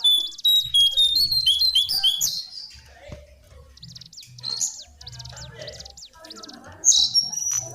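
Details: Lesser shortwing song: bright, rapid high trills and whistles at the start, then scattered squeaky notes over soft low murmuring, and a loud whistled phrase near the end.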